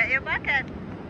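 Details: A seabird on the ocean shore at South Padre Island, Texas, during spring break gives three quick, nasal, slightly falling calls in about half a second, over a low rumble of wind or traffic.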